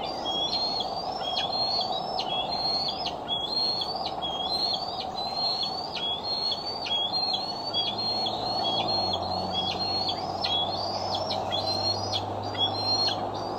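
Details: Bald eagle on the Decorah eagle cam, July 6, 2011: a long run of short, high whistles, each rising then snapping downward, repeated rapidly and evenly; a low rumble enters partway through.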